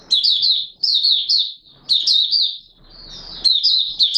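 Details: Oriental white-eye song, Mata Puteh Raja in open song, 24 March 2022: short, rapid, high chittering phrases roughly twice a second, with a brief soft rustling pause in the middle.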